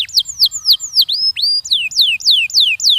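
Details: Canary singing to stimulate young birds to sing: clear, loud whistled notes, each sliding downward, repeated about three times per second with one rising note mid-phrase.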